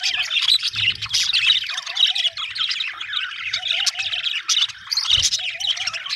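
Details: Budgerigars chirping happily, a dense squeaky warble with repeated short wavering trills lower down and a couple of soft thumps.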